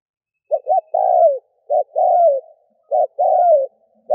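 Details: Spotted dove decoy coo for luring doves: short double note then sustained falling coo, repeated three times in roughly one-second cycles, clean and close.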